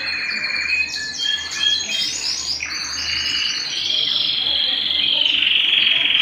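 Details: Canary singing at home, a continuous high warbling song of rapid trills and rolling phrases, shifting into a long sustained buzzy trill; a faint low hum underneath.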